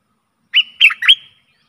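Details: Stripe-throated bulbul singing, recorded as a decoy for aggressive wild birds: three liquid, slurred notes in quick succession, the last rising into a short whistle, in clean silence.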